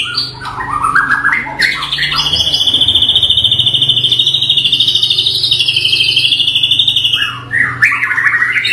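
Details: Indonesian white-rumped shama, local Bahorok type, giving brief rising whistles and then a long, fast, steady buzzing trill held for about five seconds before more short whistles, over a constant low hum.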